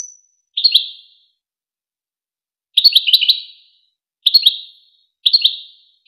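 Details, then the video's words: Song of a European goldfinch from the Wakr Touzgha tutoring tape for young goldfinches and hybrids. A faint thin whistle opens, followed by four separate tinkling bursts of quick twitters, the second the longest, each trailing off in echo. "شريط وكر توزغة الشهير لتسميع فراخ الحسون و الهجين"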